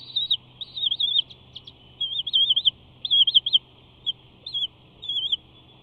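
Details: Bald eagle chattering right in front of the Big Bear nest camera on 5 June 2019 while preening: loud, high, warbling chitter phrases with a wavy, trilled quality, in short bursts separated by brief gaps.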